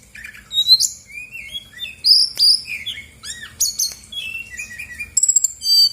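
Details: Caged Brown-chested Jungle Flycatcher, played as a lure to make lazy birds sing, giving a rich, varied song of clear whistled notes, quick slurred phrases and high chirps, ending in rapid bright notes.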